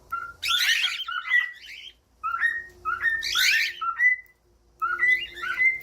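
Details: Cockatiel whistling its song for training young or quiet birds: short steady whistles and rising notes mixed with two loud, raspy chattering bursts, separated by brief silent gaps, in a quiet indoor setting.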